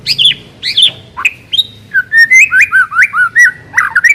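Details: Lure of white-rumped shama song to set a shama singing: opening falling whistles, then a run of about ten rhythmic warbled, wavering notes, over a faint low hum.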